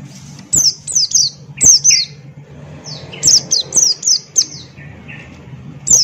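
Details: Buxton's white-eye singing energetically in ngalas style: short bursts of piercing, downslurred chirps in twos and threes, with a few lower whistles and a constant low hum.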